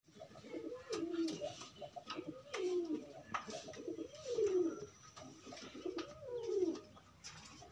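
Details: Pigeons pairing while free, not caged. Soft, low, rolling coos rise then slide down, repeated about every one and a half seconds, with faint clicks and rustling.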